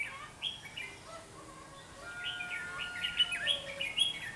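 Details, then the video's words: Red-whiskered bulbul noted for a bell-like voice, singing as a trapping decoy on 27 November 2016; lively bursts of sweet, quick warbled notes grow busier in the second half, with faint lower whistles underneath. "Bẫy chào mào giọng chuông"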